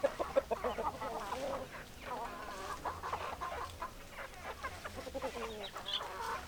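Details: Hens clucking: soft, overlapping clucks and short murmured notes from several birds, steady and unhurried, over a low background hum.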